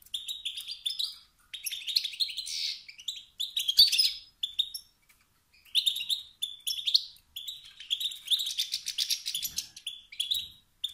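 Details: Male European goldfinch, wild-type, whose 'bit-bit' and 'sit-sit' notes push other males to sing out of competition; bubbly chattering phrases alternating with short silences.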